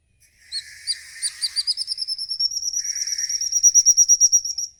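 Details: Lure call of a songbird in ngikik style for stimulating caged birds. Mixed chirps with a softer buzzy layer build into a long, steady, rapid high trill that grows louder toward the end.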